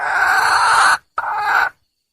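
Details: Female wild junglefowl calling to attract a male, giving one long hoarse, nasal note and then a shorter second one after a brief pause, against a quiet background.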